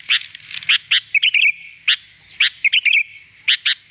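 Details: Lure recording of a sooty-headed bulbul meant to draw in wild birds, giving loud sharp chirps alternating with quick warbling trills in short clusters, with a faint low rumble underneath.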